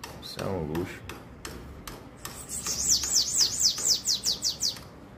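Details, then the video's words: Brazilian tanager giving a quick series of high, descending slurred whistles, about nine notes in rapid succession, after a man speaks briefly at the start. "SIBITE DU PAPAI 🧑‍💼CAMBACICA DOS MEUS SONHOS"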